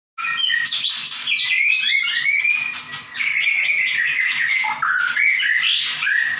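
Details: White-rumped shama singing in the energetic 'gacor nembak' style: a dense, continuous stream of high whistled phrases, rising slurs and rapid chattering notes, with a brief dip in volume near the middle.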